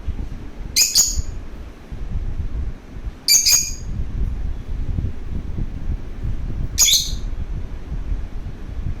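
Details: Three harsh, high chirps from a lovebird that wants to play, spaced roughly three seconds apart, each a quick stuttered burst over a low background hum.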